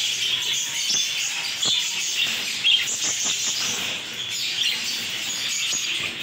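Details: Captive home-bred African lovebird chicks chattering continuously: dense, high-pitched twittering and scratchy chirps, one brief louder squeak near the middle, with faint fluttering or rustling clicks underneath.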